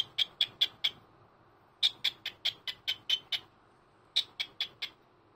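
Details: Indoor senior cockatiel, a pet, greeting the morning on a Sunday: three rapid series of sharp, high-pitched chirps, roughly four to seven notes each, evenly paced with short gaps between series.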